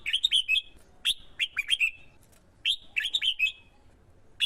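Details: Caged male red-whiskered bulbul in Vietnam, roused by a female to sing competitively as a decoy luring wild birds; two bursts of three to four quick, bright whistled notes, slurring down at the end, with a short pause between.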